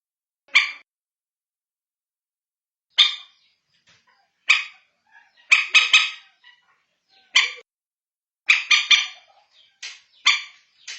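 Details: Common moorhen, a call played at night to find the birds: scattered single and double harsh, barking notes at irregular intervals, growing busier toward the end, with faint soft ticks between.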